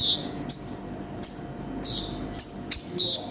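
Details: Konin sunbird with piercing high chirps and harsh buzzy bursts, spaced unevenly about once a second in a vigorous song.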